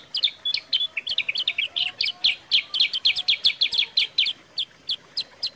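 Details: Sooty-headed bulbul (kutilang sutra) singing clearly to prompt and tutor other birds: a dense, rapid stream of bright, sharp chirps, nearly four per second, easing slightly at the end, with faint soft whistles behind.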